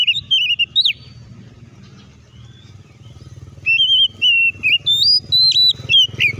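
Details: Oriental magpie-robin provoking other magpie-robins into song: a short whistled burst with a sharp slur, a pause filled with low engine-like rumble, then a longer series of bright whistled notes, some with quick dips.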